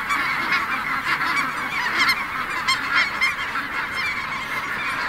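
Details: A massive flock of snow geese lifting off at Merced NWF: countless nasal honks blur into a steady roaring chorus, with sharper individual yelps poking through.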